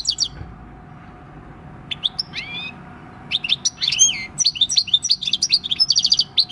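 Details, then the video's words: A six-year-old field-caught European goldfinch performs "El Carbonero" countryside song, 26 December 2019: scattered sweeping notes that build into a fast, bright, jingling twitter. "Jilguero campero "EL CARBONERO" / Chant du chardonneret / Goldfinch song"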